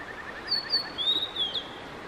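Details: Male Blue-and-white flycatcher singing steadily on May 5, 2022: clear high whistles, rising then a long wavering sustained note ending in a drop, over a rapid series of soft lower ticking notes.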